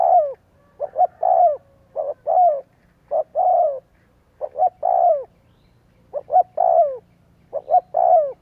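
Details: Spotted dove calling as a decoy lure to trigger cooing: about seven rapid phrases, each a pair of quick hoots leading into a longer, mellow coo that drops in pitch at the end.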